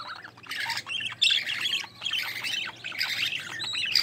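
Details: Nestling budgerigars from a green-line pair, including a chick split to opaline, being fed by their mother; a near-continuous stream of scratchy, buzzy squawks rises and falls with brief dips.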